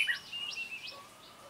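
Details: Red-whiskered bulbul of the dark-bibbed type, recorded during a bulbul trapping session on 28 February 2017; a short burst of bright, looping whistled notes rising and falling, three quick arched phrases, then fading under light background noise.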